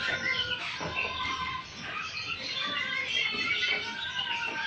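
A white-rumped shama sings a dense, nonstop run of rich whistles and rapid chattering phrases, high and varied, over a busy, hissy background.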